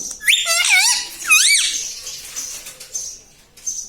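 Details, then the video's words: Indoor pet parrot that talks; two shrill, squeaky voiced syllables with a wavering, swooping pitch open the moment, then only faint high hissing and soft sounds remain. "Parrot talking mithu mithu || mai bolunga || मम्मी पापा बोलता तोता"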